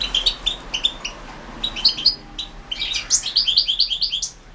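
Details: European goldfinch from a 2016 internet singing championship, giving clipped, metallic chirps in short groups, then a steady run of rapid, ringing twittered notes roughly five per second.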